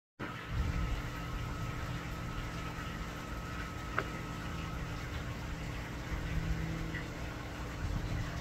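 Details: A quiet room hum with a faint low rumble and a single sharp click midway; no animal calls stand out.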